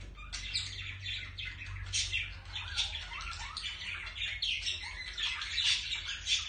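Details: A pair of budgerigars during mating and romantic courtship behaviour; dense, continuous warbling chatter of quick chirps, squeaks and short buzzy notes tumbling over one another, with a faint low hum underneath.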